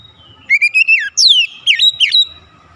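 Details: Oriental magpie-robin lure song aimed at pushing other magpie-robins to sing; a smooth rising whistle leads into fast looping downslurred notes in one short phrase.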